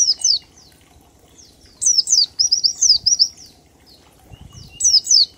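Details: Lure song of an oriental white-eye in the ngalas style with 1234 beats: high, sharply falling notes, then a fast run of five or six chattering downslurs near the middle, and another falling pair at the end.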